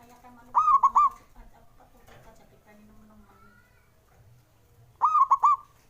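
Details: Zebra dove male giving its call meant to coax reluctant doves into singing: a quick burst of three to four stuttered coos, repeated once after about four and a half seconds over a quiet low hum.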